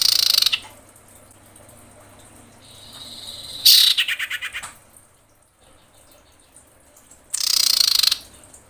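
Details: Breeding female common iora calling for males, used to lure birds: harsh scratchy bursts open and close the passage, and a loud pulsed rattle follows a soft high whistled note in the middle.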